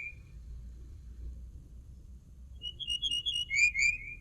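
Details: After a short high note and a pause, a common linnet delivers a fast twittering phrase of ringing notes that ends in falling whistled slurs. Faint low hum in the background.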